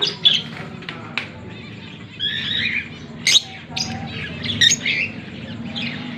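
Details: Fischer's lovebirds, a green pair recorded in October 2023, let out scattered harsh squawks and sharp chirps in uneven bursts. Faint low hum and murmuring sounds lie underneath.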